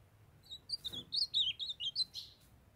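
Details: Kept ultramarine grosbeak (azulão); a female calls to bring a young male into condition while he sings. A quick run of about nine warbled, rising-and-falling whistled notes over roughly two seconds, clear and high, with a quiet background.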